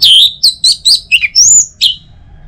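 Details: Orange-headed thrush singing, used as a morning lure to get other birds singing: a brisk phrase of loud whistled notes, some sliding up or down and one drawn out, ending in a clipped chirp.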